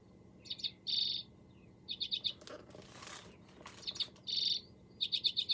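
Common Redpoll giving high, dry chattering notes in quick runs of four or five, with two longer buzzy trills; a brief rustle midway.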